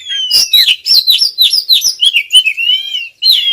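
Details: Female Oriental magpie-robin pressing the male with calls: quick, sharp slurred chirps about three per second, ending in a long, level whistle before another chirp.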